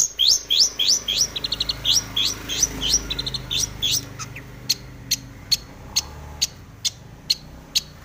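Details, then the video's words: Long-tailed shrike in breeding condition, filled 'full isian' song meant to make other shrikes sing: rapid bright chattering notes at first, then thinning to single high ticks spaced under a second apart. "cendet gacor BIRAHI full isian"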